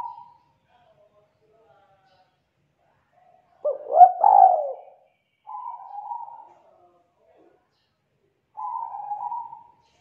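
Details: Young wild-caught spotted dove singing in the 'kuk 2' style, thick and loud: a rolling emphasized coo phrase, then two shorter flat coos spaced about three seconds apart, otherwise quiet.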